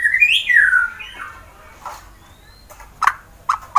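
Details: White-rumped shama song used to provoke rival birds into singing, from Wonosobo, Central Java, Indonesia: a loud rich whistled phrase falling from high to lower pitch, then a pause and a few short sharp notes.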